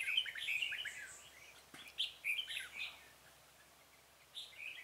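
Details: Decoy red-whiskered bulbul calling to attract wild birds during trapping on 26 February 2018; a burst of rapid warbling notes, a click, then two more chirpy phrases and a faint final note.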